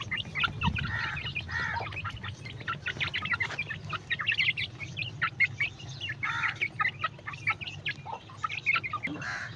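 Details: Several newborn chicks feeding, their shrill short cheeps coming thick and fast, some rising slightly, in a dense overlapping chorus over a constant low background hum.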